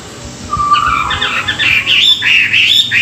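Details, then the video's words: Chinese hwamei singing in the morning for song training: a low whistle climbs into a rapid, rising series of bright warbled notes that grows louder and more varied. "luyện giọng họa mi họa mi hót buổi sáng, kích bổi quá đỉnh"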